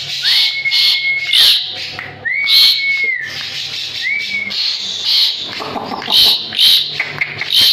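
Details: Asian pied starling in full, energetic song, used for tutoring other songbirds: long, level whistles held over a second each, rising at the start, mixed with rough, hissing bursts.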